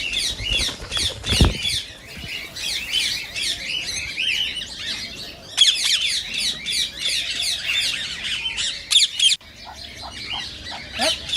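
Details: Harsh, high-pitched chattering from green rose-ringed parakeets comes in loud bursts separated by quieter gaps. A thump is heard early on. The calls are said to stimulate mating in listening parakeets.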